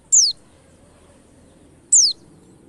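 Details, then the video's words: High descending whistle from a white-eye, used as a lure to get white-eyes singing: two single sharp slurred notes nearly two seconds apart, with quiet background murmur. "pancingan pleci 💯 % cepat ngalas"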